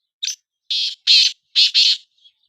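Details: Two black francolins calling against each other in a calling contest: a short opening note followed by four loud, harsh, grating bursts in quick succession, then a faint trailing note, with clean silence between.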